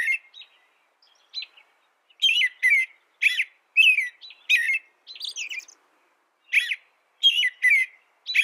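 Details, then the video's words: American robin song: a few soft opening notes, then clusters of loud warbled phrases separated by short pauses, the phrases sweeping up and down with a faint high hiss on top. "American Robin Bird Sound, Bird Song"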